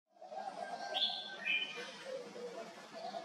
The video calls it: Bruce's Green-Pigeon